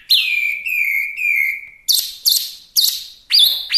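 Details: Vigorous Chinese hwamei song, recorded as a tutor and lure sound: three long drawn whistles, then four sharp down-slurred ringing notes and a final high clear note.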